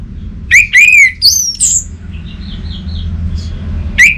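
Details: Orange-headed thrush in northern Bali, Indonesia, with loud clear whistled slurs, a high wavering note, then soft quieter warbles before one last sharp whistle, over a low background hum.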